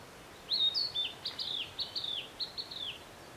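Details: Narcissus flycatcher singing near Matsunoyama hot spring, Japan: clear high whistled phrases with slurred, falling notes, delivered in four quick bursts against a soft, steady background hiss.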